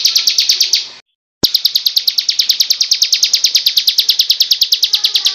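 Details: Bar-winged prinia in ciblek kristal style, taken from a master training recording. Rapid, regular, piercing high chirps run on, broken by a short silent gap after about one second, then resume at the same quick pace.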